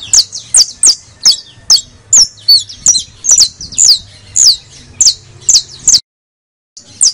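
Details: Saffron finch, known locally as canario de tierra criollo, singing in a recording used to stimulate other birds to sing: a rapid series of sharp, high, downslurred chirps, roughly two per second, with a short silent break near the end.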